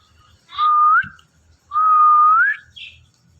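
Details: Pet ringneck parrot talking into a phone while watching himself: two clear, sustained whistles, each held level and then sweeping upward at the end, with a short pause between them.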